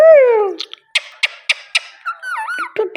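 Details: Pet Indian ringneck parakeet vocalizing indoors: a long descending whistled note, then a series of sharp clicks about every quarter second, ending with wavering, warbled squeaky notes.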